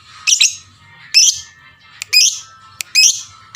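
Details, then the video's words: Lovebird calling to provoke other lovebirds into calling: four harsh, shrill chirps at irregular intervals of roughly a second, with faint low hum between them. "pancingan lovebird paling pintar suaranya 99% jago bikin lovebird yang dengar terpancing rame bunyi"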